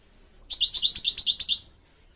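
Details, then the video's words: Goldfinch song played to teach young goldfinch mules and canaries to sing: about a second of rapid, high, tinkling twitter, notes repeated several times a second in quick succession, over a faint low background hum. "Teaching goldfinch mules and canary to song"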